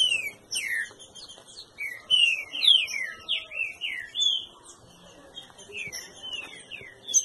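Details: Green-winged saltator at a breeding facility, singing a busy run of clear, downslurred whistles, some high and thin, others richer, tumbling almost without pause over a quiet background.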